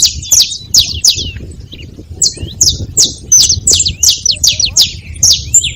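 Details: Saffron finch singing at a feeding spot: a fast series of high, sharp, downslurred chirps repeated in quick bursts, with soft low rumble in the background.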